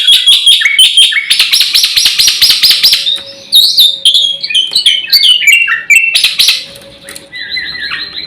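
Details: Black-winged myna song for luring and tutoring other birds: continuous loud, varied chatter of harsh rasps, squeaky whistles and buzzy notes in quick succession, ending in a rapid rattling trill.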